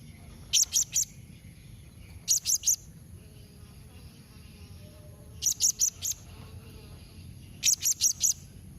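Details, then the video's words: Blue-crowned hanging parrot calling to get other parrots to reply: four evenly spaced bursts of three or four rapid, piercing high chips, about two seconds apart, in an otherwise quiet setting. "Kombinasi Suara SERINDIT MEMANGGIL NEMBAK Mbeset Seperti ni Jadikan Srindit Anda Nyaut Tambah GACOR"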